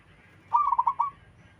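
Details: Local zebra dove with its melodious cooing song: one brief rapid trill of four or five pulsed notes, over a steady low background hiss.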